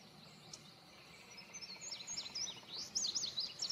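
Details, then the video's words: Indigo bunting song that starts faint and grows louder: high, sharp, chevron-shaped slurred notes, several given in pairs, quickening toward the end, over steady low background noise. "Indigo bunting song / call / sounds"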